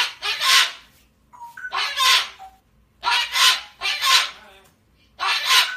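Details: Cookie, a female cockatoo, gives five loud, harsh, broadband screeches about a second apart with faint squeaks between, yelling for her human Dad to come back after he leaves; she gets upset when he goes.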